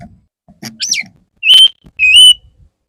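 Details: Courting male Oriental magpie-robin singing to a female: a sharp looping whistle, then two loud, pure whistled notes, the last held and rising slightly at its end.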